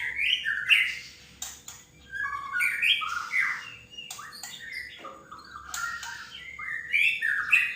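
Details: Lure recording of a male white-rumped shama, intended to get other shamas singing: bright, varied whistles and quick chirping trills in short bursts with brief pauses, some phrases rising, others dropping.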